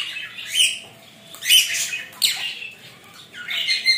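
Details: Rainbow lorikeet enjoying a shower makes four sharp, shrill squawks, each rising then falling, spaced roughly half a second to a second apart.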